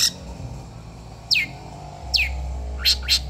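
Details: Long-tailed shrike of the Madura type, on a training recording for caged birds. Three sharp downslurred notes fall steeply, spaced under a second apart, then two brief bursts follow near the end. A low steady hum sits underneath.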